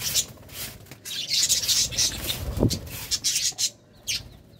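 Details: Courting budgerigars chattering almost without pause in dense, raspy, high-pitched warbling, with a brief low bump near the middle.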